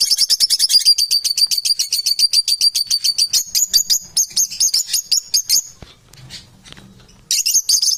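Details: Indoor domestic parrots, described as unbalanced, give a long burst of rapid, shrill pulsed chatter for about six seconds, a brief pause with low murmuring, then chatter resumes.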